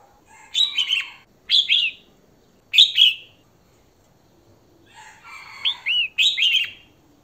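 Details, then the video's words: Female red-whiskered bulbul calling to attract a male: short bright, warbled phrases of slurred whistled notes, given in clusters of two or three with pauses of about a second between bursts. "Chào Mào Mái Hót Kích Trống"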